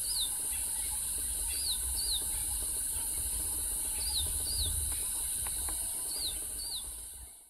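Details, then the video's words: A Collared Sunbird sings in Kruger National Park, South Africa: thin, high, falling notes, often in quick pairs, repeated every couple of seconds, over a steady high hiss of insects and a low background rumble. "Collared Sunbird Singing"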